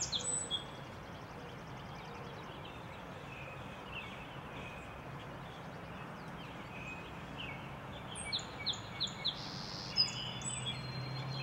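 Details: Song sparrow singing on a cloudy April morning in Minnesota, with a White-throated Sparrow noted in the background. A brief phrase opens, then a series of short, high, bright notes and a buzzy note near the end, over steady broad rushing noise.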